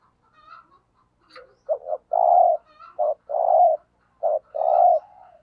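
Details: Decoy spotted dove calling in the 'thúc gù' style used to lure other doves: deep, mellow coos in short-short-long phrases, three phrases in quick succession with brief soft notes before them. The background is otherwise quiet.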